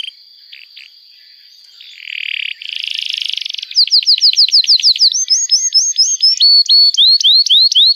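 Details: Canary in long, energetic 'gacor' song, used as a trigger recording to teach young canaries and restart silent ones: a thin steady whistle and scattered clicks, then buzzy rattling rolls, building into fast repeated rising chirps.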